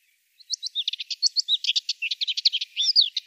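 A Subalpine warbler's fast, scratchy warble: a three-second stream of high, tightly packed chirps and twitters with no pauses, alone against a quiet background.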